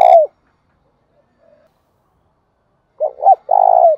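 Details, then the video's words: Spotted dove calling in the morning, a low falling coo, then silence for over two seconds before a phrase of two short coos and a long buzzy coo that drops at its end. "tiếng cu gáy thúc bổi & Gáy gọi mới nhất"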